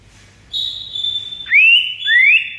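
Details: White-rumped shama master song for prompting other shamas to respond: a long steady high whistle followed by two rising slurred whistles, over faint low background hum.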